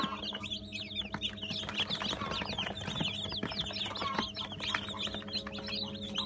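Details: Eighty freshly hatched Brahma chicks, hatched 17 June 2018, fill the air with busy, high-pitched cheeping, many short slurred notes crowding together above a constant low droning hum.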